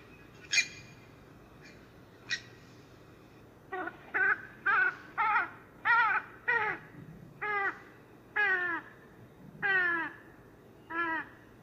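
A Western swamphen gives about a dozen nasal, downslurred honks in quick succession, nearly two per second, after two sharp knocking notes, over a faint background hiss.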